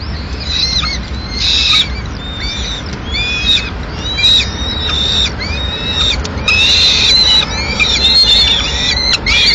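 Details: Peregrine falcons in Madrid at mid-morning, female arriving at the nest with pigeon remains; repeated arched, wailing calls in bursts across about ten seconds, some overlapping.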